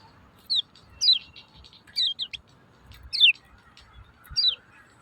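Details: Lemon-bellied white-eye calls used as a lure to stir silent birds into singing: short descending chirps, each falling sharply, given singly or in pairs about once a second over faint low background rumble.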